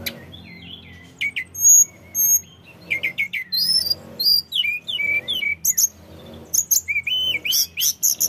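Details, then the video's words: Sunda robin (tledekan gunung) in full song, a varied run of high whistles, slurred notes and sharp chirps broken by short pauses, with quick repeated tweets near the end. "Tledekan gunung gacor"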